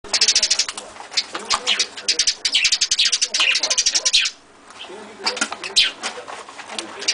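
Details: A pet rosy-faced lovebird, angry after being given peanuts in its food dish that it apparently disliked, gives rapid, shrill, scratchy chattering bursts, pausing briefly midway before resuming in sharper squeaks.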